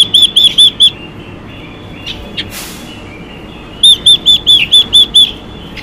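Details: Hen Chinese hwamei calling to stimulate males: four quick, bright arched whistles, a brief rustling break, then a second run of seven identical notes delivered evenly and rapidly.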